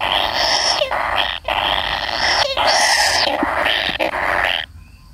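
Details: Kingfisher chick waiting for its parent, giving loud, harsh, raspy buzzing calls in long bursts with brief gaps, ending abruptly in quiet.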